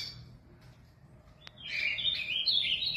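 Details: Ultramarine Grosbeak (azulão), a caged bird in São Paulo, Brazil, gives a short high note, a click, then a fast bright warbling run of whistled notes building in volume.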